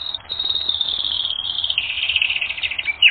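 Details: Canary song from a training recording: a continuous high trilled roll, slightly descending, ending in a brief sharp rising note.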